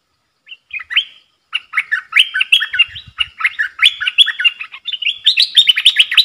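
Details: Caged bulbul in a singing duel with wild birds, 3 October 2021: a long, rapid run of chattering, bubbling notes that builds in pace and loudness toward the end, with a short pause near the start.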